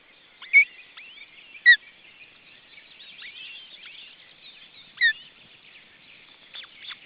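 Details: Second osprey chick in its nest in June 2012 gives a few short, clear whistles that slide downward, loud and widely spaced, with a steady twittering chorus of other birds filling the gaps.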